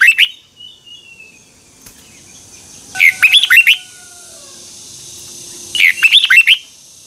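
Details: A red-whiskered bulbul sings its morning training song, delivering chattering phrases of rapid twisting whistles, each under a second long, spaced roughly three seconds apart.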